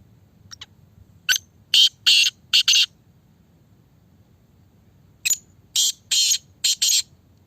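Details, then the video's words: Black francolin, a fast-calling bird of the kind locally called a speeder; loud harsh grating call of a few clipped notes followed by several rasping bursts, given twice about four seconds apart over a low background murmur. "Speeder black Francolin"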